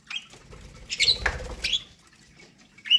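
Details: Pet budgies eating corn let out brief high chirps, one cluster in the middle and a single sharp chirp at the end, over light scratching and a dull knock.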